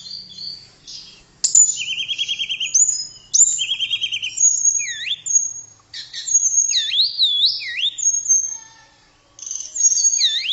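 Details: Blue flycatcher (tledekan) delivering lively song with rapid rattling trills, looping swooping whistles that dip and rise, and short pauses between bursts.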